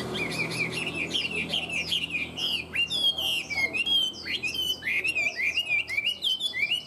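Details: Tame caged Chinese hwamei in full song: a continuous stream of loud, clear whistles, sharp downward slurs and bright warbled notes, delivered energetically without pause.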